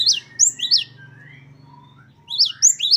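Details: Great tit, 'wucit-wucit' song variation from training recordings. A few high, peaked notes open and close the clip, separated by a quiet stretch with soft gliding whistles and a low hum.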